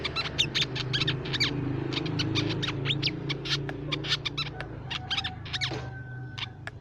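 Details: Crimson sunbird lure recording for songbirds: dense, hurried sequence of sharp high chirps and quick upslurred notes, ending with a few thin whistled tones, with a constant low hum underneath.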